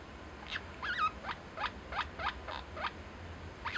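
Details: Pet lineolated parakeet talking to its owner, saying "love you" (daisuki): a soft run of quick rising and falling chirped syllables, about eight in under four seconds, over low background hum.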